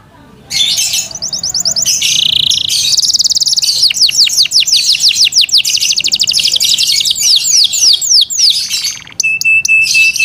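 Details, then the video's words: Caged Yorkshire canary in full loud song, mixing rapid rattling trills with long series of steep descending whistled notes and a steady high tone near the end, all delivered without pause. "Yorkshire canary Nice sound"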